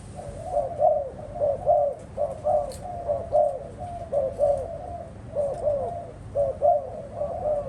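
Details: Captive spotted doves calling in a dense run of low, rounded coos, each note slightly wavering, repeated about once a second with brief gaps.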